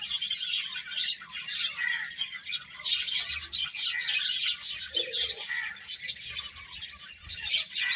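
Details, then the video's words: Continuous twittering of many birds, quick high tweets layered thickly, with a short lower sound about two-thirds through. "Cute Birds Chirping Sounds"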